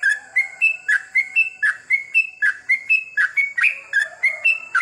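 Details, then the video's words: Night-time sooty-headed bulbul, recorded as therapy to encourage long goklik singing: brisk, regular chain of bubbly whistled notes, each slightly rising or falling, nearly four per second, above a steady high whine. "terapi trucukan di malam hari ‼️agar mudah nropel goklik panjang!!"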